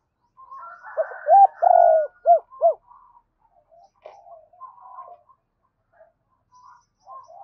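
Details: Spotted dove cooing to lure wild doves and call its mate. A loud phrase of a short coo, a long trembling coo and two rounded notes. Quieter, softer cooing from another dove follows over the next several seconds.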